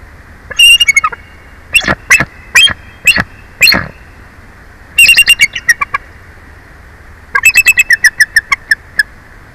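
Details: Wild bald eagle at its nest in Big Bear Valley, watched by a live nest camera as one adult takes over from another, gives bursts of rapid high piping chips in quick series, with pauses between bursts over steady background hiss.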